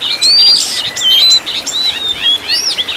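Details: Oriental magpie-robin master song for caged birds: long pure whistles sliding slightly, mixed with buzzy, noisy notes, in loud phrases about a second long.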